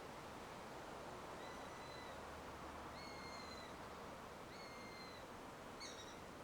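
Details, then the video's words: Eurasian sparrowhawk calling near its nest in a big old beech tree: three long, even, high whistles about 1.3 seconds apart, then a brief, broken, quavering note, over steady hiss. "Sound of a Sparrowhawk"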